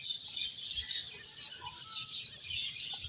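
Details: Short stretch of finch chatter from birds playing and eating: high, crisp tweets packed closely together, rising and falling in quick loud pulses.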